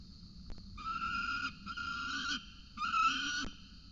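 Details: Peregrine falcons at a nest with a cicada as prey, recorded in the evening: three drawn-out, harsh, nasal wailing calls, each about a second long and steady in pitch, with faint background rumble.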